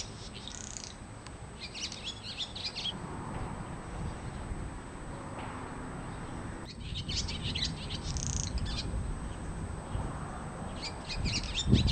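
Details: Swallow in a home garden giving recurring clusters of high, scratchy twittering notes every few seconds, set against rumbling low background noise and a constant thin whine.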